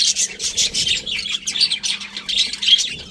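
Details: Chattering budgies give quick, buzzy chirps and warbling notes in tight succession, with brief thin whistled pips mixed in over a low steady hum.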